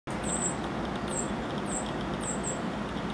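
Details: Northern cardinal nestlings being fed by both parents shortly before fledging in Fayetteville, Arkansas, June 13, 2012; thin, very high-pitched squeaky notes, about four in three seconds, over steady broadband rushing background noise.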